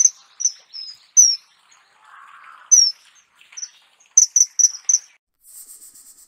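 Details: A kingfisher in Australia gives sharp, high, piercing notes in short irregular bursts, ending in a quick run of four; a low buzzy sound and a high insect-like hiss are also heard.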